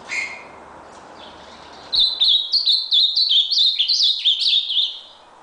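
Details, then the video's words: Ultramarine grosbeak (azulão) singing a fast, vigorous warbled phrase of high, slurred notes, about four per second, rising and falling in a quick run that starts after a brief chirp and faint background hiss. "Azulao red nose (tornado)"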